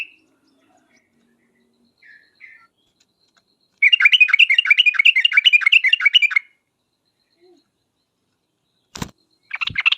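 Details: After a few faint notes, a yellow-vented bulbul lure song bursts into a dense, rapid trill of sharp chirps lasting over two seconds. Near the end come a clap-like knock and more chatter.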